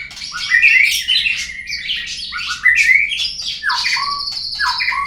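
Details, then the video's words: White-rumped shama lure song to set murai birds singing: dense, loud whistled phrases mixed with rough chatter, coming in three or four strong bursts, with a sustained high whistle in the middle. "suara pancingan burung murai agar bunyi"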